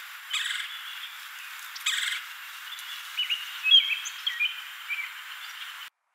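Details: Red-bellied woodpecker calling at its nest hole in LaBagh Woods Forest Preserve, Chicago, in May 2013. Two short, rough, rolling notes early on, then faint thin chirps from other birds over steady background hiss.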